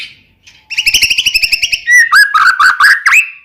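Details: White-rumped shama (murai batu) lure song to make another shama sing: a long rapid buzzy rattle followed by loud clear slurred whistles, several dipping then rising sharply.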